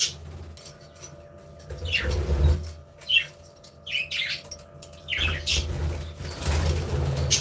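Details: Budgies chirping and playing in their aviary; scattered rising chirps and squawks, some low fluttering thumps, over a steady mechanical hum.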